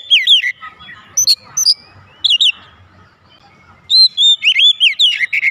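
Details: Oriental magpie-robin at home singing loudly in answer, short whistled swoops and high chips early on, then a long, dense ending phrase of rolling, varied whistles over a low hum.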